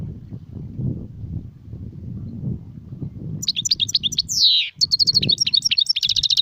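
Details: Low rumbling background first, then a European goldfinch breaks into song in the serfati, gzrati and tserseer styles: high tinkling twitters, a loud descending buzzy slur, then rapid repeated trilled notes.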